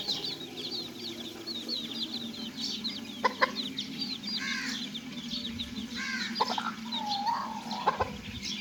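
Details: Little chicks playing together in a cage, their rapid high cheeping forming a constant chatter, with occasional sharp clicks and a louder chirp, over a steady low drone.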